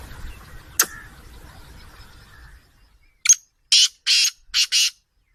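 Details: Black francolin calling: after a few seconds of faint background noise and a sharp click, a run of five harsh, rasping bursts, short then longer, in quick succession.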